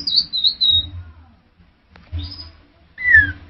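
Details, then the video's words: Orange-headed thrush male giving sparse song fragments: a fluttering high whistled phrase, a pause, a short thin note, then a clear downslurred whistle, with a low steady hum in the background. "Tiếng chim Hoét lửa"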